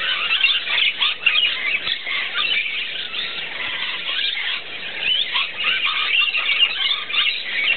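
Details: Rainbow lorikeets mixed with musk lorikeets at a morning bath; loud, steady wall of piercing squeals and rasping chatter from a crowded flock, rising and falling slightly in intensity.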